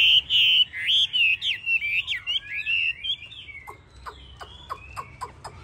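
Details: Hwamei of the yellow 'tam hoàng' form pours out a rich tumbling warble of whistled notes, fading into a string of sharp clicks and short chips.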